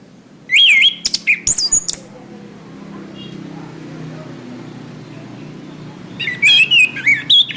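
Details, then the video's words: Song of the orange-headed thrush, played to train caged birds: quick runs of clear, looping whistles and sharp high notes, then a long pause over low humming noise before another burst of twisting whistled phrases. "Suara Anis kembang"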